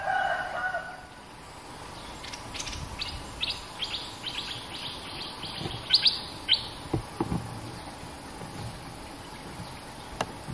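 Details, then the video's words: Territorial resident Cream-vented bulbul answering a caged lure bird: a quick run of short bright chirps that rise and fall, then scattered lower notes, over a background of insect hiss. "suara pikat merbah lekir gacor"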